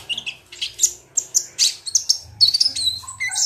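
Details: Lure track of olive-backed sunbird (kolibri ninja) used to coax singing: dense, high-pitched twittering of sharp chirps and thin whistles, building to a rapid sequence near the end.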